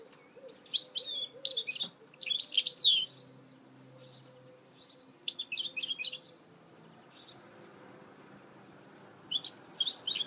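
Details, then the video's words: Goldfinch mule song from 2018: quick clusters of sharp, high twittering notes alternate with thin, soft whistled slurs. Bursts come roughly every few seconds, and a low steady background hum runs underneath. "Chant mulet chardonneret تغريد هجين الحسون"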